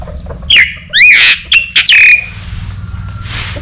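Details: Myna singing loudly, a few harsh, squawky whistled notes that swoop upward, then steady background hum.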